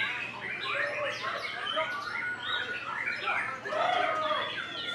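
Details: Young forest-bred white-rumped shama, one moult old, in full bowing display: dense, varied song of clear whistles, slurred rising and falling notes and rapid chattering phrases, overlapping continuously with other bird notes.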